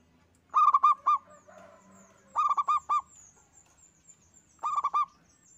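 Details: Local zebra dove, a single singing bird used to prompt others: three evenly spaced bursts of four to five rapid, bubbling coos, with faint rustling and murmuring between them.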